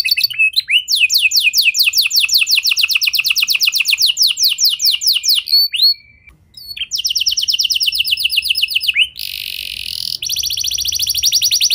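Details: Canary song as a lure for other canaries: long, very fast trills of high repeated notes with a short pause, a rising chirp, a harsh buzzy burst, then another rapid rolling trill.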